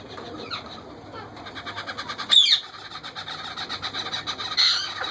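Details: Wild parrot feeding her hungry parakeet chicks: a buzzy, rapidly pulsing begging chatter runs throughout, broken by a sharp, high squeak near the middle and another squeal at the end.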